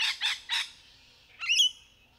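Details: Rainbow lorikeets in courtship, three quick raspy screeches followed by a sharp upward-sliding shrill squeal that holds as a piercing whistled tone, in a quiet natural setting.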